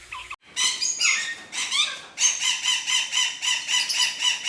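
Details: Captive exhibition budgerigars kept by a breeder chattering in a dense, continuous warble of harmonic chirps and squeaky notes, pulsing in loudness roughly twice a second after a brief silent start.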